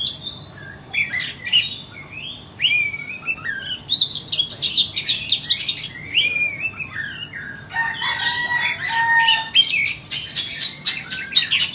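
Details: White-rumped shama, a caged bird offered for sale, singing a varied run of whistled and slurred phrases mixed with harsher buzzy notes, with brief pauses between bursts and a faint low hum beneath.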